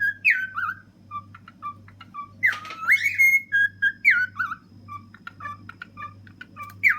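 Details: Cheerful whistled song from a ten-year-old male cockatiel perched on a fridge. Clear notes slide downward and upward, mixed with short repeated chirps, against a pulsing low hum.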